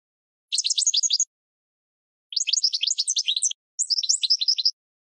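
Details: Goldfinch song for training cage birds: three rapid twittering bursts of high, liquid chirps, each under a second or so long, separated by silent gaps; clean recording with no other sounds.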